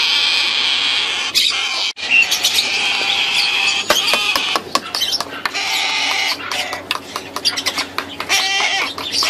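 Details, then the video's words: Three very hungry, noisy hand-raised sulphur-crested cockatoo chicks begging; continuous harsh, raspy rattling calls with sharp clicks and brief gaps, several chicks calling at once. "Sulfa crested cockatoos"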